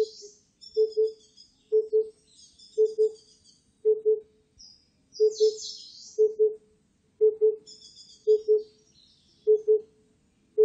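Oriental cuckoo giving low, hollow paired hoots, 'poo-poo', about once a second, while small birds add thin, high chirps and twitters above.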